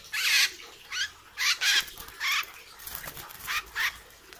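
A hair-crested drongo gives harsh, scratchy, squealing notes in short bursts, about seven in four seconds at an uneven pace, over faint background hiss.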